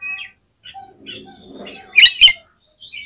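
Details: Oriental magpie-robin, a singing bird used as a lure to set off other magpie-robins, giving scattered thin whistles and brief chirps, then two loud harsh bursts near the end.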